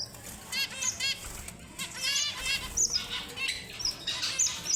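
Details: Red avadavat, known as strawberry finch, singing high clear whistles between buzzy ladder-like trills, the phrases coming quickly one after another.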